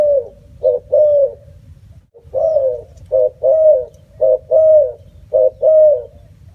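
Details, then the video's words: Spotted dove cooing in quick succession: phrases of one or two short coos followed by a longer, slightly falling coo, repeated roughly every one to two seconds, with a steady low hum underneath. "សម្លេងសត្វរលក . Bird sound spotted dove"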